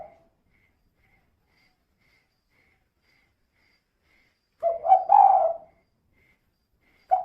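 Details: Spotted dove hen calling as a lure for other birds, kuk-2 style: one brief hoarse cooing phrase in the middle of long silence, with a clipped note at each edge.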